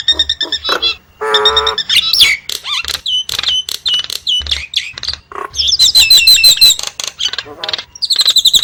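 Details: Nias hill myna delivering loud, abrupt whistles, a buzzy nasal burst, sharp squawks and a fast shrill trill, in choppy phrases split by short pauses.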